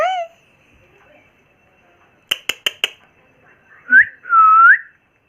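A pet ringneck parakeet gives a short falling squawk, four quick sharp clicks, then two clear whistled notes that swoop up and down.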